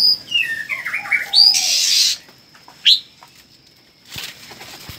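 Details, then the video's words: Newly hatched red-whiskered bulbul chicks give a run of thin, falling chirps, then a harsh hissing burst lasting about half a second, a single sharp squeak, and faint rustling. "Chào mào non mới nở"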